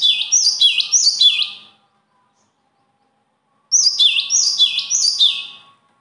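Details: Two bursts of bird song, each a quick string of four or five high, slurred chirps falling then rising at the end, separated by about two seconds of quiet, over a faint background hum.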